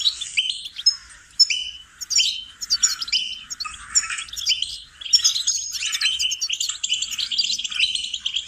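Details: Goldfinch training song, busy twitters and chattering high notes with short buzzy trills, bursts coming in quick succession with brief gaps.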